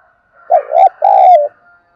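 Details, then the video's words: Spotted dove coo for luring wild doves into calling back: a quick two-syllable opening and a sustained, slightly descending second coo, with a faint steady hum in the background. "tiếng cu gáy thúc bổi sung"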